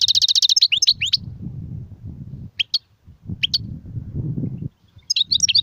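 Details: Goldfinch singing in the sarfati, guezrati and tsersir styles opens with a fast buzzy rattling trill and bright twitters, followed by a few isolated chirps and a closing twitter against steady low-pitched rumble.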